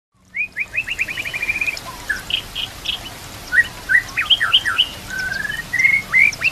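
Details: White-rumped shama song used as a training recording for other shamas, filled with imitated phrases of kapas tembak and cililin canary: a rapid chipping trill, then varied clear whistles, rising slurs and sharp upswept notes over soft background hiss.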